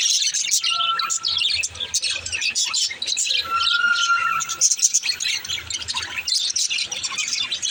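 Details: Baby budgerigar singing: high chirpy chatter broken by two longer, steady whistled notes, with faint low sounds underneath.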